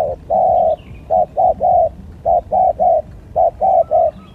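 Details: Spotted dove used as a lure bird in a luring skill contest, giving steady, mid-pitched hollow coos in short groups of two or three, about one a second, over a low rumbling background.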